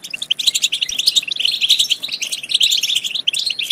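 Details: Stimulation song of the European goldfinch for encouraging singing and mating: unbroken, lively stream of sharp chirps and liquid twittering notes.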